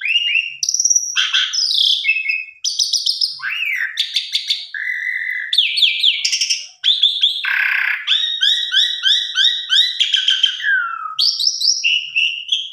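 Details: An Asian pied starling (jalak suren), recorded as a lure to prompt other songbirds to sing, sings a rich, nonstop medley of clear whistles, rising slurs, buzzy notes and quick repeated chatters, changing phrase every second or so.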